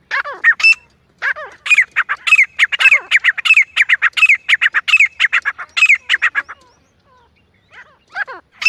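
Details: Grey francolin (grey partridge), tagged as a female call used as a hunting sound, giving loud, harsh, grating notes in rapid bursts of several per second, running about six seconds with a brief pause before resuming.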